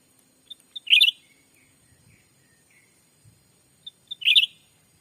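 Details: Sumatran forest trapping lure: black-capped bulbul voice giving two short, warbled, slightly rising chirps about three seconds apart, each introduced by small high notes, with faint low background sounds between.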